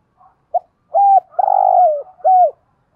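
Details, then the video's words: Decoy Spotted Dove of 'giọng thổ' voice calling wild doves: a single clear phrase of soft pip, steady coo, long vibrating coo falling at the end, then a short downturned coo. "Chim Cu Mồi gáy gọi những con cu bổi ở nhà và ngoài rùng lẹ gáy"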